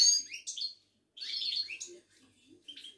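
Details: Moroccan European goldfinch, Ouidane type, caged: two quick bursts of high, jangling twitters and buzzy notes with a gap between, then a soft short phrase.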